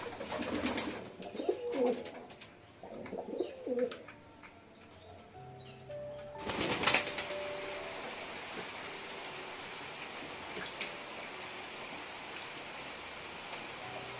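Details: Pigeon cooing in two low, throaty bursts near the start, followed by a sudden loud flurry like flapping wings and then a steady hiss of background noise.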